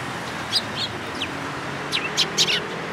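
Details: Sparrows at a Tenmangu shrine in Japan, recorded 14 April 2022: a handful of short, sharp chirps, some sliding downward, scattered over three seconds against a steady hiss of background noise.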